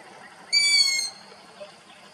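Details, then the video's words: Young long-eared owl in Abruzzo, Italy, uttering one piercing, squeaky call of about half a second, steady then slightly falling, over a constant background hiss. "versi del giovane Gufo comune"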